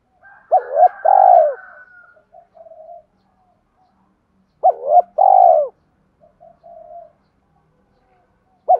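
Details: Repeated spotted dove cooing for training decoy birds: two loud two-part coos about four seconds apart, each with a short rising note and a longer falling one. Softer low cooing follows each, and a third coo begins at the end.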